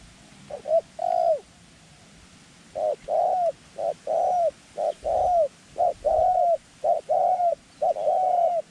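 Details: Decoy dove calling to attract wild doves to a trap; one opening coo phrase, a pause of over a second, then a rapid steady run of seven short-then-long arched coos.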